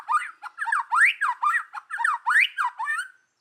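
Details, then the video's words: White-rumped shama in forest-voice kéo thuốc lào song, aimed at rousing other birds: rough, rising-and-falling chattered notes repeated about twice a second, ending abruptly. "chòe lửa hót giọng rừng. kéo thuốc lào kích bổi. tiếng chim chích chòe lửa hót"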